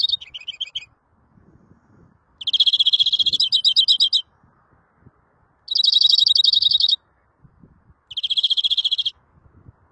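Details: Greenfinch song made of rolling, rattling trills about a second or more long, given in separate bursts with quiet gaps between them.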